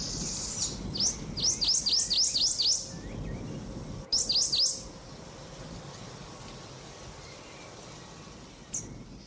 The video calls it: Gold finch || loving sound